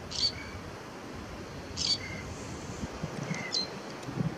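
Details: Lesser grey shrike song recorded on Fuerteventura in 2018: sharp, grating high notes, each followed by a brief lower whistled tone, three phrases spaced well apart against soft background noise.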